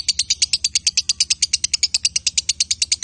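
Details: Male and female lovebirds chattering: a steady, rapid run of bright, buzzy high notes pulsed in an even rhythm throughout.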